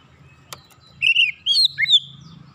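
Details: Oriental magpie-robin giving a short series of warbling, slurred whistles after a single click, with a low hum underneath.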